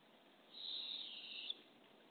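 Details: Barred owl at a nest box early in the morning in April, where the female arrives with a baby opossum for two hungry owlets; one harsh, high hissing screech lasts about a second over a quiet background.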